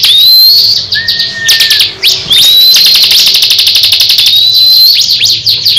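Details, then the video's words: Two Crescent-chested babblers in a singing duel: high, clear whistled notes and a fast, even chattering trill of about four notes a second, with the second bird answering close by. "Duel sengit cikris vs cisem saling adu gaya"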